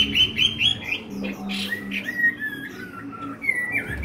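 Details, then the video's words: A tame, newly arrived Chinese hwamei, not yet in full singing condition, sings loud, rich whistled phrases, with quick rising notes followed by slurred descending whistles, over a low background hum. "Họa mi thuần"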